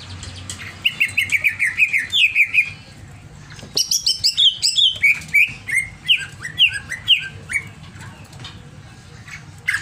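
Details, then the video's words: Over-excited greater green leafbird delivering a fast run of about a dozen repeated chirps, a pause, then a long sequence of sharp downslurred whistles descending step by step, over a low background hum. "CIRI CUCAK IJO OVER EMOSI"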